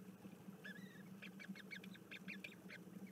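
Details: Bermuda petrels recorded 06 04 2021: a run of faint, wavering, harmonic calls, the first drawn-out and sliding, then short stacked notes repeated several times a second, over a steady low hum.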